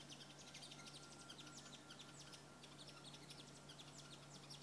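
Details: An orange-tufted sunbird at a window in Soyo, Angola, gives a run of thin, high chips and short twitters, several each second, over a low steady electrical hum.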